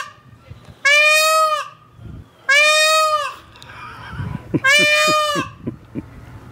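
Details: Male peacocks at Tule Springs in the morning, recorded up close, give mating calls with no female in sight: three loud, nasal, wailing calls, each under a second, about two seconds apart, with faint knocks and rustles between.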